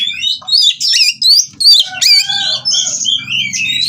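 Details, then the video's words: White-rumped shama held at a breeding aviary, mating song meant to spur rivals into singing; loud short phrases of sweeping whistles and harsh chirps separated by gaps, ending in a sustained warbled trill, with a low hum beneath. "Burung Kacer Kawin Merangsang Lawan Untuk Bunyi dan Lebih Gacor"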